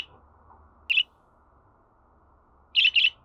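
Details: Budgerigar producing one clipped chirp, then a rapid pair of bright chirps a couple of seconds later, with low background hum.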